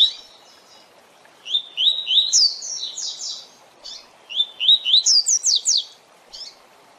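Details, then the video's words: Captive-training song of the double-collared seedeater, 'tui tui zel zel' type: two full phrases, each starting with rising whistled slurs and ending in rapid descending buzzy strokes, separated by a short gap, with steady faint background hiss. "Tui Tui Zel Zel Canto Para Treinamento e Encarte de Coleiros e Papa capim!!!"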